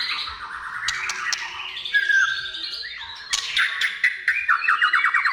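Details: White-rumped shama song, for luring shamas into song: rising whistled glides, harsh squawky notes and a fast stuttering trill toward the end.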